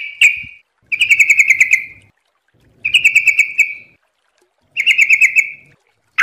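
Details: Sooty-headed bulbul training recording: three short, evenly pulsed rattling trills, each about a second long, repeated roughly every two seconds, with a faint low murmur behind.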